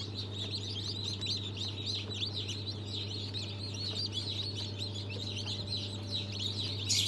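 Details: Mixed-breed newborn chicks (Brahma, Fizan, Australorp, Legbar), March 2023: a steady wash of shrill peeps from many chicks, partly masked by a strong low hum and background noise, a louder burst at the end.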